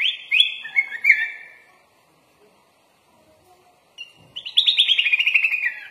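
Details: Sooty-headed bulbul (kutilang) singing a full, varied song used as a training master. Slurred, descending whistled phrases, a pause of silence, then a fast run of rattling, chattering notes that fall slightly in pitch.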